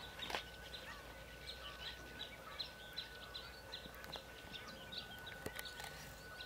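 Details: Black-winged stilts at the Soča river mouth, Slovenia, on 19 April 2022 give short, sharp yapping notes, several each second and unevenly spaced, over a faint steady hum and background noise.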